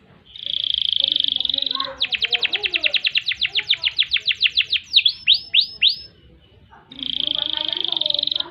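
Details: Canary rolling song used to train and stimulate other birds: steady buzzy trill, a fast series of sharp downward sweeps, a few swooping notes, a pause, then the buzzy trill returns.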